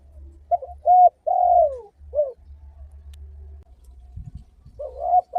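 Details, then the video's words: Spotted dove song from a lure recording played to make other spotted doves call back: a few short coos, then a long drawn-out coo falling in pitch, a brief coo after it, and more coos at the end over a steady low hum. "Masteran suara burung || tekukur sekalidi puter burung tekukur lain di jamin ikutan bunyi"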